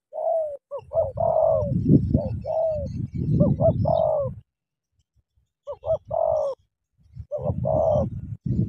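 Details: Decoy spotted dove of the Cà Mau 'tú' style meeting a wild bird, repeating short notes and falling coos over heavy low rumbling and scuffling, with a quiet gap midway.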